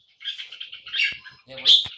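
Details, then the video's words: Warbling song of a caged red-whiskered bulbul in the poi-sian (โป้ยเซียน) style, three bubbly chirping bursts, with a person's voice briefly audible near the end. "นกกรงหัวจุก (โป้ยเซียน นกหัวหิน 1)"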